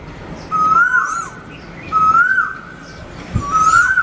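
An Asian Koel gives three loud, clear whistled notes, each rising, about a second and a half apart, over a faint background hiss and distant chirps.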